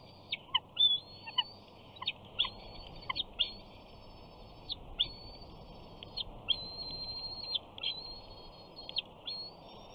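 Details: Bald eaglet at a Big Bear nest on 28 June 2019, screeing for fish as its father flies in and perches above while the mother eats. Long, high, drawn-out whistled screes, each ending in a sharp downward slur, follow one another closely.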